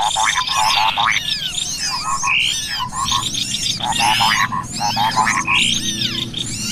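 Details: Cucak kopi and other small birds in a lure-call recording: a busy chorus of sharp, rapid whistles and chattering trills sweeping up and down in bursts every second or so, with no pause.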